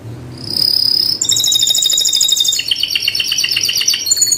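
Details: Canary song: a high sustained whistle, then a long run of fast rolling trills changing pitch stepwise, loud and clean.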